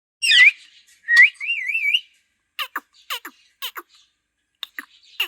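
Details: Talking green parrot giving a sharp falling whistle, then a wavering warbled whistle, followed by a run of quick dry clicks and short chirps.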